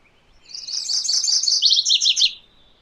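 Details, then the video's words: MacGillivray's warbler singing: a loud, fast run of buzzy, chanting two-part notes that shifts into a few lower, slurred closing notes, lasting under two seconds, with a quiet background. "MacGillivray's Warbler Song ! MacGillivray's Warbler Sounds ! MacGillivray's Warbler Call"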